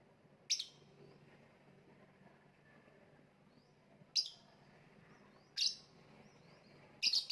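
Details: Lovebird giving four short, piercing high chirps at irregular gaps of one to three seconds, each a sudden sharp note that fades quickly, with a faint steady low hum between.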